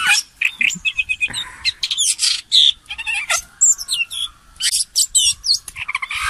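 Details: A common green magpie's decoy call: a rapid jumble of high chirps, harsh squawks and short whistled notes, with bursts every fraction of a second and a thin steady tone running underneath.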